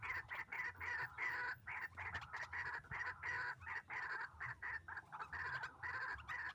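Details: White-breasted waterhen, described as fierce, calling during trapping with a hanging snare trap: rapid, rasping croaks delivered in choppy bursts with short gaps.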